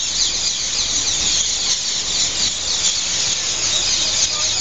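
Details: Hundreds of parakeets, apparently rose-ringed, squabble loudly while settling at dusk in roost trees in front of Heidelberg main station: a dense, continuous wall of overlapping shrill screeching calls.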